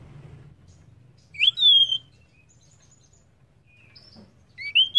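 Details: Female banded pitta calling to stir males into calling: a rising then falling whistled phrase, a pause with faint notes, then another rising whistle at the end.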